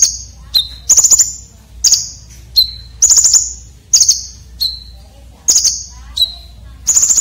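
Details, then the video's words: Red-breasted konin with harsh, sharp fill-in notes, for tutoring contest birds. Regular alternation of piercing high ticking bursts and short, lower, even whistles, about one phrase per second. "KONIN Dada Merah isian Kasar tajam"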